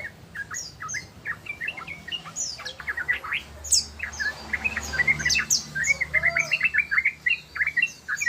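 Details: Yellow-vented bulbul (trucukan ropel) delivering rapid chattering phrases of bubbly, rising and falling notes, growing denser toward the end, over a faint low hum.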